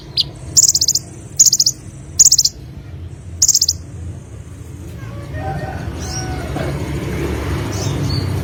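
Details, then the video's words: Olive-backed sunbird, sung gacor-style: four brisk, thin, rapidly pulsed high trills in the first four seconds, then quieter scattered chirps and rising background noise. "BURUNG KONIN SUARA GACOR FUL MATERI 100% JERNIH || KOLIBRI"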